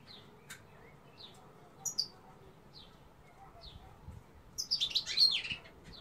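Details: Female European goldfinch giving short, thin, high call notes spaced about every second, then a rapid tinkling twitter near the end; quiet background.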